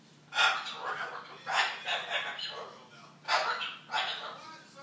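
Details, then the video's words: Argument mimicry by a cockatoo, four rough, emphatic shouted bursts spaced unevenly over a few seconds, each trailing off in a raspy, speech-like tone. "Cockatoo Mimicking A Couple Arguing"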